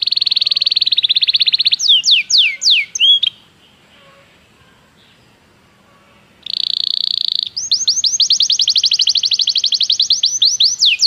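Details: Belgian canary singing a training song. Fast buzzy trills alternate with series of repeated downward-swooping whistles, broken by a three-second pause, then a long rolling sequence of sweeping notes.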